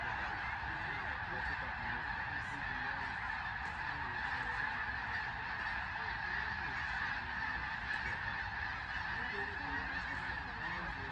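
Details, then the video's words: A large flock of snow geese at Sauvie Island, Oregon, calls nonstop: a dense wall of overlapping nasal, high-pitched honks with no break. "Snow geese"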